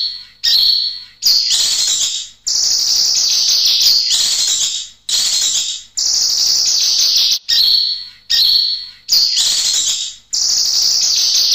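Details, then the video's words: Kinoy bird in full, clear song gives shrill, dense, buzzy bursts of one to two seconds with a thin whistled note within, broken by abrupt silent gaps. "BURUNG KINOY GACOR SUARA JERNIH"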